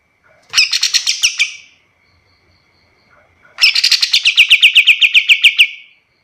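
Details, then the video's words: Kapas tembak song used as a master recording for training other birds: two loud bursts of rapid, evenly repeated bright chirping notes, each burst lasting over a second, separated by a short silence. "Suara kapas tembak paling bagus untuk masteran burung lain"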